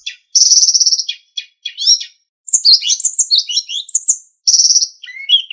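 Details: Sulingan song from a master for training captive songbirds: a high buzzy trill, short chips, a dense tumbling jumble of high warbled notes, then the trill again.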